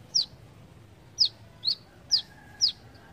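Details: Five loud, high, downward-sweeping chips from a brown-throated sunbird, spaced irregularly about half a second to a second apart, with a faint steady whistle in the background.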